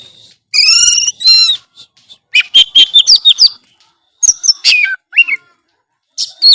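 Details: Oriental magpie-robin (kacer) singing vigorously in gacor style, full of isian fill-in phrases: harmonic buzzy notes, then a run of sharp chirps and whistled slurs, with short silent gaps between bursts.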